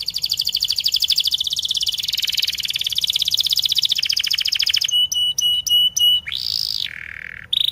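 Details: Canary training song for juvenile or silent canaries: a long rolling high trill, then sharp clipped chips, a bright swooping note and a lower held tone.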